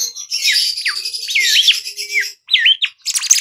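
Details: A Bimoli song, used as a lure recording to draw other birds: a quick run of clear, swooping whistles, some rising and some falling in looping slurs, with a brief pause before a final burst.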